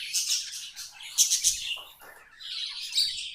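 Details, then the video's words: Pet budgies chattering in a dense, scratchy, high warble, with bursts of buzzy chirps and short squeaky notes running together and a brief pause in the middle. "Budgies amazing love & singing 🎵 sounds"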